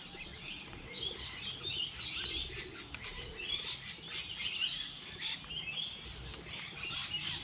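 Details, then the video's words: Wild birds chirping on a light rainy day: scattered bright, high chirps and quick twitters from several birds, irregular and overlapping, over a steady soft hiss of light rain. "Bird sounds, Bird chirping"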